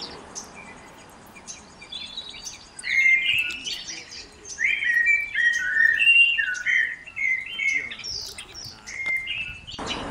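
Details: A Mourning Warbler in Collingwood, Ontario, Canada, sings a rich, slurred run of paired churry-churry notes at mid-high pitch for about seven seconds, with faint high chips from other birds behind it.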